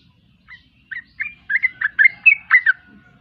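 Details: Sooty-headed bulbul song, a bubbly run of mellow, slurred whistled notes that starts softly and grows louder, about ten notes in under three seconds with a faint low background rumble.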